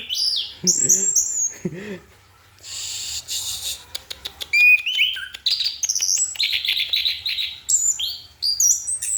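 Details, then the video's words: Orange-headed thrush in night song: a few high whistles, then a noisy scratchy passage with clicking, followed by a varied series of whistled and rasping phrases at mid to high pitch. "Anis kembang sedang menikmati goyangan malam"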